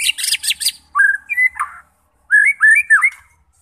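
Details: White-rumped shama singing to lure fighter birds into chatty song: a burst of high chattering notes, a pause, then rich fluting whistles sliding up and down around the middle range, ending in a quiet gap before more whistled phrases.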